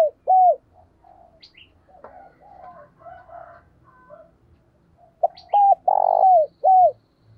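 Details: Spotted dove kept as a decoy coos to lure a wild bird. An arched coo opens, then comes a stretch of soft, varied warbled murmurs. A full loud phrase of short notes, a long burry coo and a falling coo follows, with faint high chirps.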